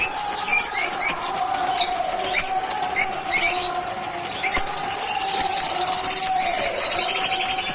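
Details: Caged lovebirds chirping in the morning, excited on seeing their keeper: sharp, high, repeated chirps and squeaks in bursts, over a steady low mechanical hum and rising hiss.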